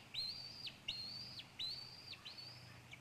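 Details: Young female eagle, recently fledged, calling near the nest in Maine, 4 pm, July 9, 2014, with an adult there eating a squirrel; four loud, clear whistles, each sweeping up then holding level before a quick fall, spaced under a second apart.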